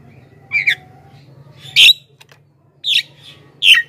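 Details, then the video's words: Javan myna used to call wild and caged mynas into responding: four harsh, buzzy squawks in under four seconds, the first a doubled note. "suara burung jalak kebo gacor"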